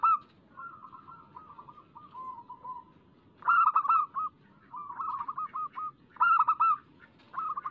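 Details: Local zebra dove song used as a lure to make caged doves sing quickly: rolling, bubbling coo phrases around mid pitch, each about half a second, repeated in bursts every few seconds with short pauses between.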